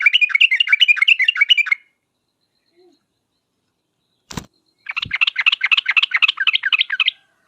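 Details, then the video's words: Sooty-headed bulbul giving a sharp, rapid trill as a lure to make other birds answer: a fast run of chirping notes, a pause with a sharp click, then a longer rapid chirping run. "trucukan gacor uplik uplik tarong ropel tajam ini menjadikan burung trucuk gacor nyaut seketika"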